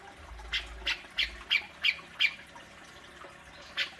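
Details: Grey-cheeked bulbul (cucak jenggot) sounds used to lure a kept bird into singing: a quick series of six sharp, squawky high notes about every third of a second, a pause, then one more note, over a faint low hum.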